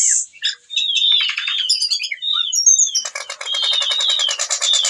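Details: Whistling thrush, a bird that sings steadily while in breeding condition and calls a female, used as a lure for other birds: a varied high warbling phrase of whistled slurs, then a long fast buzzy rattle with sweeping notes over it.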